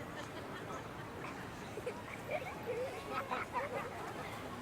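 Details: Laughing gulls (Leucophaeus atricilla) in New York City calling as they fly by: short, nasal, yelping notes in a loose burst midway through, over steady city hum with a voice speaking.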